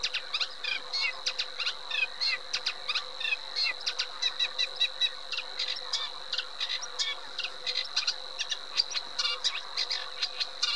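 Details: Eurasian reed warbler in a long, continuous chattering song of short, dry notes strung together without pause, mixing clicks, rasps and chirps, over a steady high-pitched hum.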